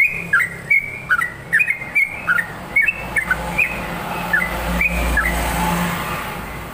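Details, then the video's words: Energetic yellow-vented bulbul song, bubbly whistled phrases tumbling quickly for four seconds, then fading under a rising rushing noise. "SUARA TRUCUKAN GACOR"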